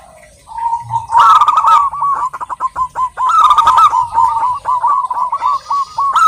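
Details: Zebra dove female of local stock calling a male: a low opening note, then two loud rattling bursts amid a steady stream of rapid, bouncing coos.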